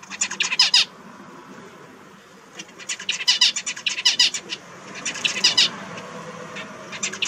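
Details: Kept zebra finch, one of four finches, gives three short bursts of quick, buzzy, high-pitched notes separated by brief pauses, with soft background hiss.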